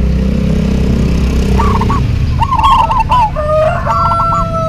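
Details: Lively local zebra dove duet. Several short rolling coo phrases build in the second half, with two steady level tones beneath them, all over a strong low-pitched background rumble.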